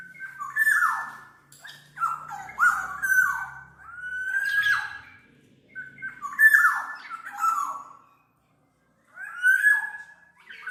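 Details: Black-naped oriole producing repeated harsh, cat-like downslurred squawks in clusters, roughly every second or two, with a silent gap before a final burst.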